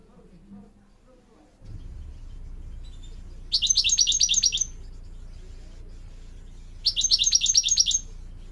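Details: Goldfinch song played to train mules and canaries: two separate bursts of fast, high twittering trills, each about a second long, over a steady low hum.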